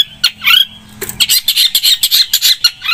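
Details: Vigorous long-tailed shrike song: a short, harsh, squawking chatter of rapid grating notes, with a few rising whistled slurs at the start and end.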